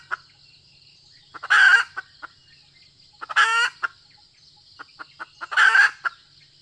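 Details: Female red junglefowl giving three short, harsh, clipped calls about two seconds apart, over a steady high insect drone and a few soft clicks; Red junglefowl.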